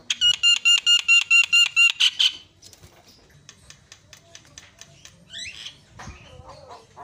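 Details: Myna recording meant to excite quiet birds into chattering: a fast run of about ten harsh, nasal squawks at a steady beat, then softer clicks, rasps and scattered chattering notes.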